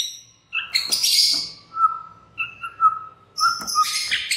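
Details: White-rumped shama lure song for prompting other shamas to join in: harsh high bursts framing a series of soft clear whistled notes held at one pitch, ending in loud scratchy chatter.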